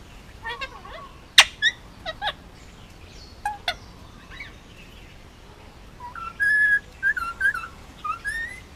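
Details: Pet male Indian ringneck parakeet, hand-fed, nearly two years old, Oahu, Hawaii, talking and making noises: quick clicks and squeaks, then a string of short bright whistled notes rising and falling.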